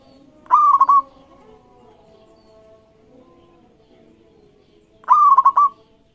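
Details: Local zebra dove calling energetically to draw rivals into singing: two bubbling cooing phrases about four and a half seconds apart, each a short upslur followed by three or four rapid rolling notes, in calm surroundings.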